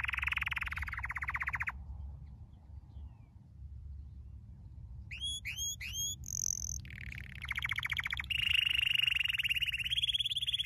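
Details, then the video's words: Canary training song: a buzzy rapid trill, a quiet gap, then sharp descending chirps, a sustained high note and long rolling trills. "Your canary will NEVER STOP SINGING With this training song"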